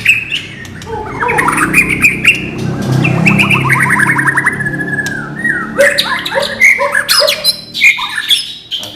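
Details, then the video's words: White-rumped shama song presented as training material in the non-bubbling (non gelembung) style: varied clear whistled phrases, some sliding and trilled, over a steady low hum and faint musical background. "MATERI BURUNG MURAI BATU NON GELEMBUNG"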